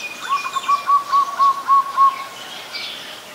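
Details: An adult Common Tailorbird (Orthotomus sutorius) in Ubon Ratchathani, Thailand, on 9 February 2023, gives a quick run of about eight loud, even, mid-pitched notes, roughly four per second, over faint background birdsong.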